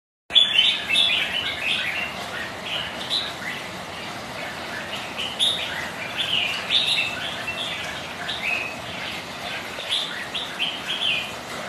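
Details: Several kept red-whiskered bulbuls sparring as rivals on a rainy, windy day, trading bright chirpy warbled phrases that overlap in quick bursts throughout, with a steady hiss of rain and wind underneath.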